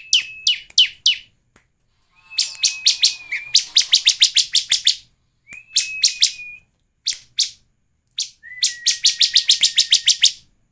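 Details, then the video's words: A bar-winged prinia sings rapid bursts of high, buzzy chips, some run together with a thin steady whistle, separated by short pauses; played as a lure to get other prinias singing. "PASTI CIBLEK lain cepat gacor dengan PANCINGAN CIBLEK ini"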